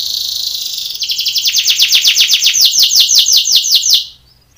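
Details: Belgian canary singing a training song for contests: a bright, rapid series of repeated chirping notes, roughly three per second, running for about three seconds before stopping abruptly.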